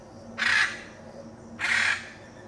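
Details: Hyacinth macaw in the Pantanal, Brazil: two loud, raspy, grating squawks about a second apart, each roughly a third of a second long, over a faint steady low hum.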